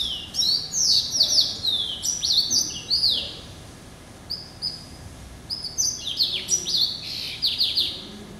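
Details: Extended singing by a pet hybrid finch, yellow-eyed canary × Timbrado, hatched November 2012: fast high warbled phrases with repeated downward sweeps and trills, a short lull midway, then more rapid twittering.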